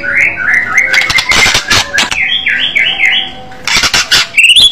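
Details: White-rumped shama with an aggressive fighter-style song: varied whistled notes stepping up and down, mixed with bursts of harsh broadband rattling and a high sweeping whistle at the close.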